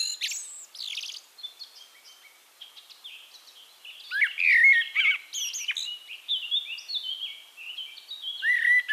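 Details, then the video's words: Eurasian blackbird song from Castricum, Netherlands: scattered high, scratchy notes and softer twitter in the first half, then a louder mellow warbled phrase near four seconds, followed by mixed whistles and a final clear fluted note. "One Hour Relaxing Birdsong: Blackbird"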